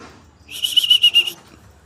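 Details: Greater green leafbird in an agitated state, delivering a quick run of about six rapid, evenly spaced high whistled notes lasting under a second over a quiet background.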